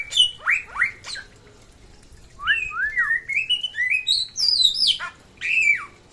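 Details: Samyong from West Nusa Tenggara in full song: a few sharp downslurred whistles, a short quiet gap, then a rising chain of fluting notes climbing higher, ending with a loud falling whistle.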